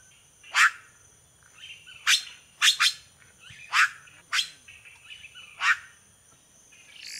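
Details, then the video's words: Red-rumped cacique song made of short, loud, explosive notes, some given in quick pairs, with softer chatter between them and a faint high hum in the background. "Canto do Guaxe"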